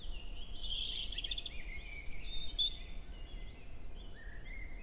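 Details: European robin singing in a forest at Hoher Peißenberg, early May around 7 a.m.; thin high whistled notes and warbles slide up and down across a short phrase, with a faint rising whistle near the end, over low steady background rumble.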